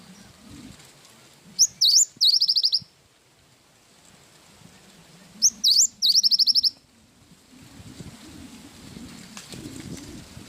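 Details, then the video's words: Cinereous tit delivering two short bursts of high whistled notes and quick repeated chips several seconds apart, over steady low rumbling background noise. "Burung gelatik batu gacor isian wingko"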